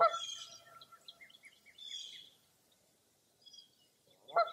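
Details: Foggy early April dawn chorus at Mirror Lake State Park, Wisconsin: a honk opens the clip, then a bright twittering song with quick descending notes, a near-silent pause, and a final loud nasal honk.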